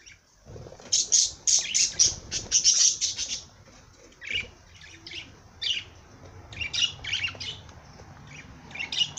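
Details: A parrot chatters in fast runs of piercing, raspy chirps and squeaks, several notes per second, broken into bursts by short pauses.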